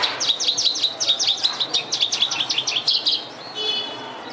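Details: An Oriental skylark in Vietnam sings a fast, high run of sharp chirps, about eight a second, for three seconds, ending in a fainter, thin sustained tone.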